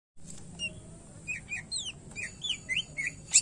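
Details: Greater green leafbird, a cucak ijo in full gacor song with varied isian phrases: short whistled notes sliding up and down, scattered among sharp clicks, softly over a low background hum.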